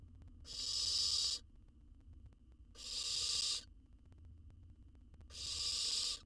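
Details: Wild owl nestling in a camera-equipped Israeli nest box, fed a whole jird, repeats a coarse, noisy hiss roughly every two seconds, three bursts in all, with steady low hum between.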